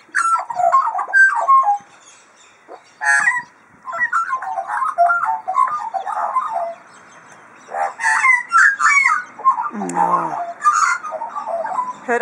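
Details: Magpie with a modem-like voice: long, varied runs of warbled, sliding and clicking notes in bursts, with scratchy buzzing rasps, a brief pause, then a deep falling grating sound.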